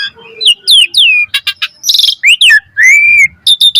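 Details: Asian pied starling singing as a model for other starlings: falling whistles, harsh buzzy bursts, a rising slur and a long even whistle, delivered loud and fast.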